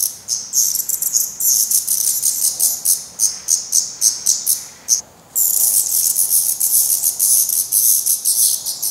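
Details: Black redstart fledglings at the nest in Portugal. They have tried their first flights, still show down on the head and are still fed by their parents. Rapid, hissing, high-pitched bursts repeat in quick succession, with a short pause midway.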